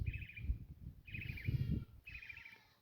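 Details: Northern mockingbird in Jamaica, one of a couple in a grassy pumpkin patch, gives three quick, buzzy chirping bursts about a second apart, copying a bike alarm sound, over heavy low wind rumble.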